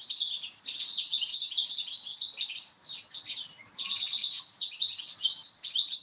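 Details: Natural song of a European goldfinch, a bird heard along the Manzanares: a fast, continuous tumble of bright twittering notes and tinkling trills, with high liquid whistles woven through, all in a high register.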